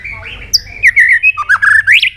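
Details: White-rumped shama provoked into fighting song: loud whistled notes sliding and rising, with a sharp high note early, then a run of quick varied phrases.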